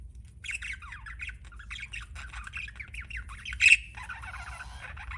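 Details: Budgerigar giving soft warbling chirps and descending squeaky notes, with one sharp loud squawk near the end followed by a buzzy chatter.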